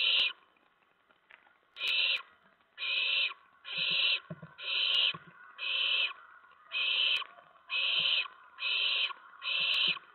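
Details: Owlets in the nest in the small hours of September 10, 2017, during food deliveries of a rat and mice. After a quiet second, nine harsh, noisy screeches follow one another about every second, with light thumps and clicks.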